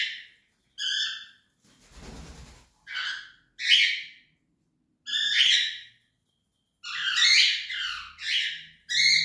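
A cockatiel gives short, harsh, ringing chirps and squawks in quick bursts, about one each second, with a brief rustling noise early on.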